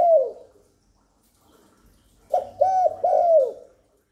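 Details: Spotted dove coo used to attract wild doves and excite newly kept birds. The fading tail of one note, a brief silence, then a crisp phrase of three soft, hollow coos.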